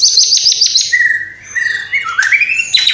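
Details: White-rumped shama singing with mimicked house sparrow, fighting lovebird, kapas tembak and cililin calls. A rapid high trill opens, then drawn-out whistles that rise in pitch, and a sharp high note at the end.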